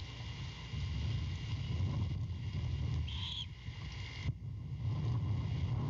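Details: Nest-cam great horned owlet near Savannah begging at night when its mother brings a rat; one fairly faint rasping screech midway, low rumble throughout.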